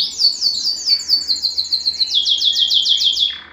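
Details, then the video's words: Canary, Belgian type, singing a breeding-stimulation song: a tight series of rapid slurred notes, roughly six a second, dropping a little in pitch after two seconds before trailing off. "صوت الكناري الاصلي ( صوت جبار يحفز الذكر ويهيج الأنثى للتزاوج )"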